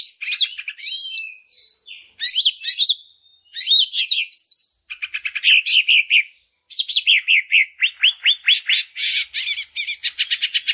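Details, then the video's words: Greater green leafbird song played as a lure to prompt rival leafbirds to sing: groups of looping, up-and-down whistled notes with short pauses, then long rapid trains of repeated sharp chirps. "Pancingan Cucak Ijo Sangat Ampuh Untuk Menaikan Mental Ijo Lain Agar Mau Jamtrok Bongkar Isian"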